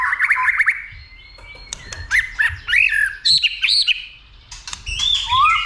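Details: A caged white-rumped shama roused to fight, singing a lot and flicking its tail. It delivers bursts of warbled, slurred whistles and sharp clicks, broken by short gaps, with loud varied phrases ending in an upward sweeping whistle.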